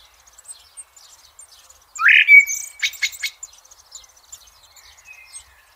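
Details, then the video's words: Blackbird in nature giving one loud, mellow fluted phrase that rises and then holds, followed by a burst of high scratchy twittering, with faint high chirps around it. "sounds of the Blackbird bird in nature"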